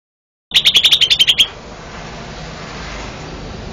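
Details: Green leafbird (cucak ijo), a first-place champion singing-competition bird from Banten, Indonesia, delivers a fast burst of about ten sharp, high chirped notes in roughly one second, followed by a steady background hiss.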